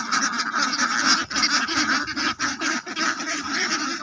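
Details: Ducks quack loudly in a dense chorus of buzzy, nasal calls, with a few quick breaks in the clamor.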